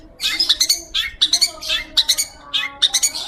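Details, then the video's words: Long-tailed shrike in energetic, sustained song: clear, harsh, buzzy note clusters high in pitch, given in short bursts of three to four notes about every half second, with brief pauses between bursts and a faint lower tone beneath. "PENTET GACOR,,SUARA JERNIH"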